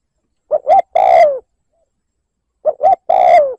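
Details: Spotted dove gives a provoking lure coo in 'liêu lỡ' style: two phrases roughly two seconds apart, each with two clipped notes leading into a longer, descending, slightly rough coo. The background is quiet.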